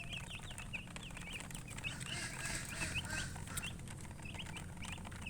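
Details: Chirping chickens, called colour chickens, giving quick sharp peeps, many per second and often overlapping, while a hissing rush swells in the middle and a low hum continues underneath.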